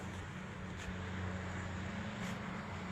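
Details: Steady low engine-like hum with broadband outdoor noise on an afternoon walk in Yavne'el, Galilee; no animal calls stand out.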